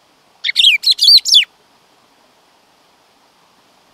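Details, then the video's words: Black-throated grosbeak singing one brief phrase of about five quick, high notes that slur downward, lasting about a second, then quiet for the rest of the time. "bico de pimenta"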